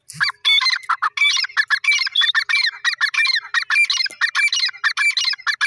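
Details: Francolin calling in a fast, harsh, squawking series of grating notes that run almost without pause, irregular in rhythm and dense throughout.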